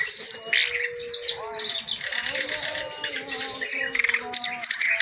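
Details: Reed warbler in vigorous full-repertoire song for tutoring: high sharp whistles open, then harsh scratchy chatter and slurred notes, with clicking bursts at the close over faint low tones.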